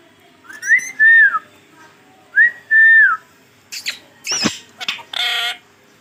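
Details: Talking pet green ringneck parrot indoors giving two clear whistled phrases that rise, level off and fall, then short speech-like syllables and a harsh noisy burst.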